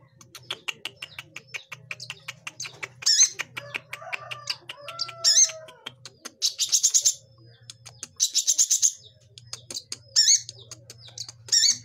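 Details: Young long-tailed shrike learning to sing: a long series of rapid ticking notes broken by loud buzzy rattling bursts and a few thin whistled slurs.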